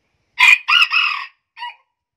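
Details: A hybrid junglefowl from Vietnam's Central Highlands, claimed to have a very high crow, gives a short, high-pitched crow: a sharp opening note, a longer harsh middle phrase, and a brief clipped ending.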